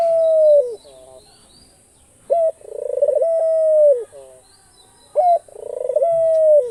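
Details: A pet dove, described as an Australian dove, coos in a soft, stuttering build-up ending in a long, smooth, slightly falling note, repeating about every three seconds over faint hiss.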